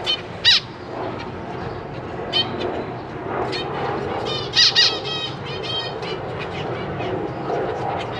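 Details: Captive zebra finches, parents and six young birds recently out of the nest, 4 May 2023: a few sharp nasal calls stand out at intervals over a busy background hiss and rustling.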